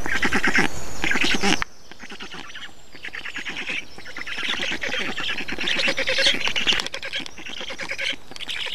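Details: Black storks feeding in Estonia, 2 June 2019. A loud rasping burst opens, then a softer, rapid stream of chattering pulses follows, repeated quickly and building again toward the end.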